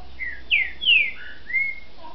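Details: A Green-winged saltator (trinca-ferro mineiro) from a licensed captive breeder, recorded 29 June 2010, sings a short phrase of about five rich, clear whistles, each slurring downward, with a faint low hum underneath.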